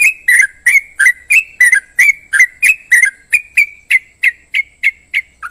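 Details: Yellow-vented bulbul repeating crisp, slurred chirps at a steady pace of about three per second, each note bending up then down, continuing without pause and ending on a lower falling note.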